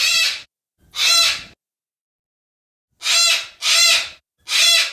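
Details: Yellow-crested cockatoo uttering harsh, grating screeches: two calls, a pause of over a second, then three more in quick succession, each raspy and about half a second long.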